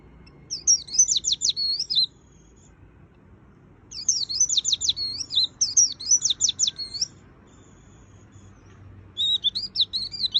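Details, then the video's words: White-eye singing a lively full-filler song (Indonesian 'gacor full isian' style); three bursts of fast, high, twittering trills about one to two seconds long, separated by short pauses, over a faint low hum. "Suara Burung Pleci Gacor Full Isian - Tiếng chim vành khuyên líu"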